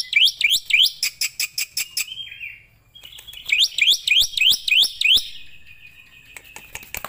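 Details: Starling or myna singing, used as master audio to train other songbirds: bouncy, rising-and-falling looping whistles mixed with sharp clicks, two bursts separated by a quieter pause.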